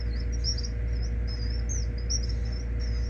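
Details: A rare Gray kingbird nestling, found struggling in poor body condition at a school and hand-fed hourly in care, gives thin, high, squeaky chirps in a quick, uneven run over a steady low mechanical hum.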